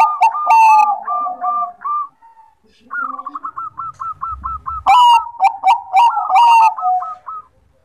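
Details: Zebra dove of the Bangkok type (perkutut) singing vigorously: loud crackling coos, a pause, then a long run of rapid, evenly spaced hooked notes. Harsh burry phrases come again, mixed with more quick bubbling coos.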